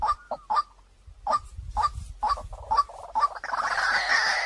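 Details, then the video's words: White-breasted waterhen lure call: short, clear notes repeated about twice a second with soft burry chatter between them, ending in a wash of broadband rustling noise. "เสียงนกกวักต่อ2020 เสียงใสเข้าเร็วมาก"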